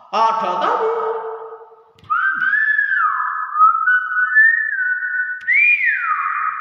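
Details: Common hill myna (beo) giving a series of clear whistled tones: a brief harmonic note, then long sliding whistles that rise, hold, and fall in smooth glides. The room is otherwise quiet.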